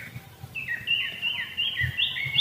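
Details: Greater green leafbird (cucak ijo) in breeding condition, conditioned at home to keep its arousal, drive and stamina stable, singing a continuous run of bright warbling whistles that sweep up and down over a steady faint hum.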